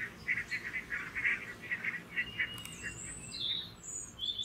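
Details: Alert barnacle geese watching two red foxes come within striking distance: a run of short, evenly spaced yelps, about four a second, then quieter thin high whistling notes.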